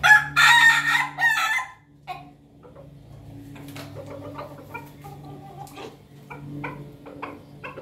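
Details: On a Monday morning, a laughing chicken crows: a loud, harsh opening phrase, then a long run of quieter, rapid, stuttering notes that sound like laughter.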